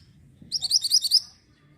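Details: Singing orange mantenan bird, recorded as tutor material for white-rumped shama: a rapid run of about six bright, high chirps in well under a second, a louder final note, with soft low background rumble.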